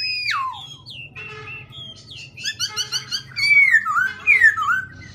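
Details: A caged black-throated laughingthrush sings continuously, switching phrases almost every half second: a rich, varied run of loud whistles, slurred notes and rapid buzzy trills over a low indoor hum.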